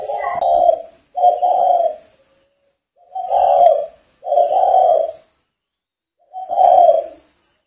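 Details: Spotted dove from a northern Vietnam breeding establishment, recorded on a rainy day, cooing in five low, hoarse, rolling phrases separated by pauses of about a second. Faint, steady high-pitched tones run in the background.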